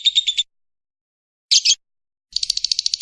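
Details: Lovebird singing in the ngekek style, used to train birds: three brief bursts of high, rapid chattering notes separated by pauses, the last a quick buzzy run.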